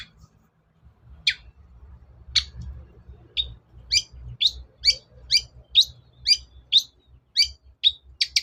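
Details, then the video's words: Long-tailed shrike lure recording to prompt birds to sing: sharp, clipped notes that start sparse and speed up into a rapid, steady run of bright ticks, over a low background hum. "SUARA PIKAT CENDET SUSAH BUNYI"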